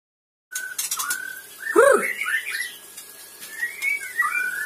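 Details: Captive Sabang white-rumped shama singing: a steady whistled note, then a loud swooping phrase and quick rising slurred whistles, ending in thin high whistled trills over faint background hiss.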